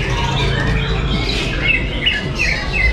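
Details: Lovebird at an inaugural singing competition in Sambong: a run of short, bright chirps repeated about three times a second in the second half, over a heavy low rumble of crowd and venue noise.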